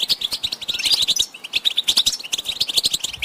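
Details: Short burst of European goldfinch group chatter, used to rouse males into song: fast, clipped twittering notes, roughly a beat every second, with ringing high trills layered over them.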